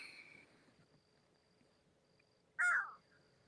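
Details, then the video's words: A crow gives a single harsh, hoarse caw, about a third of a second long, after quiet outdoor background at dusk just after sunset near water; it seemed to answer a human's caw, perhaps warning. "You hear that crow over there? It sounds so cool."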